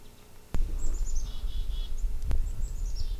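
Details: Chickadee in an outdoor soundscape giving two call phrases of high, quick descending notes followed by several lower buzzy notes, with two sharp clicks and constant low rumble in the background.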